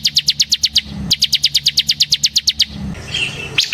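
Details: Ngebren song of a semi-type bar-winged prinia, used to lure and train other birds: two fast, regular series of sharp, high, descending notes separated by a brief gap, then low background noise and a single final note.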